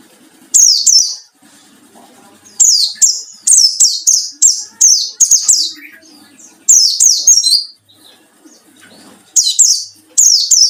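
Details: White-eye singing in the 'ngalas' style, used as a lure to provoke rivals: bursts of rapid, very high, thin twittering and chirping notes, each phrase about a second long, repeated after short pauses, over a faint low background hum.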